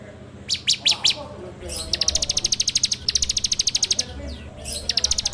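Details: Bar-winged prinia lure recording in ngebrem style, made with an Android phone. A few separate high chirps lead into steady runs of quick, sharp repeated notes. Faint low background murmur underneath.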